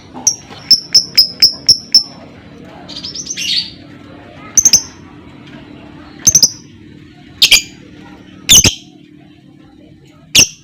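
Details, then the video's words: Lovebird ngekek played to coax other lovebirds to sing: a quick string of six high clipped ticks, a buzzy stuttered burst, then spaced pairs and single sharp notes every second or two. "PANCINGAN Burung Lovebird CEPAT PANAS Lanjut Lovebird Akan NGEKEK"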